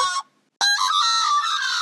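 An Australian Magpie gives a short, loud note, then after a brief pause a rich, flute-like warbling carol with layered tones that runs for over a second.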